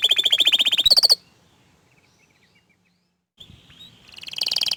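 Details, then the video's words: Orange frost canary singing: a rapid buzzy trill of repeated notes, then a pause, then a faint sliding whistle and another fast rolling trill building at the end. "Kenari Oren Frost ini Ingin Menunjukan Kicauan nya yang Mantul"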